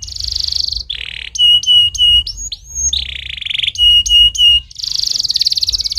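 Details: Stimulating canary song alternating sustained buzzy rolls with sets of loud flat whistled notes repeated evenly, a rising-falling slur between, and a closing long rapid buzzy trill; faint low hum.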